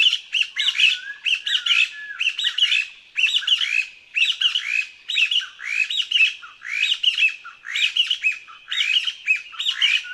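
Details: Taiwan Partridge, endemic to Taiwan's lowland and foothill forests with dense undergrowth, foraging on the ground in pairs. Squeaky, rising notes come in quick bunched phrases roughly once a second throughout, sometimes overlapping, against a quiet background.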